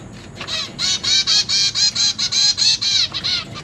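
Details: Caged zebra finch babies beg as their parents feed them, recorded 29 September 2023. A loud, even series of about a dozen harsh, nasal, tinny calls follows in rapid succession, roughly four per second, then trails off.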